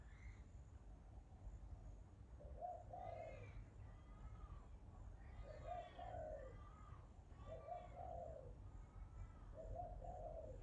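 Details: Bird cooing four times in low, hollow two-part phrases while other birds add higher, bright chirps and whistled notes between them, over a low continuous rumble.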